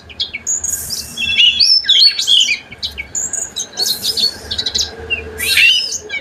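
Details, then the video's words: Oriental magpie-robin song used as a lure to prompt other magpie-robins to sing: varied high whistled phrases and scratchy bursts in irregular bouts, with a faint steady hum underneath. "PANCINGAN KACER.KACER GACOR.KACER GACOR FULL ISIAN"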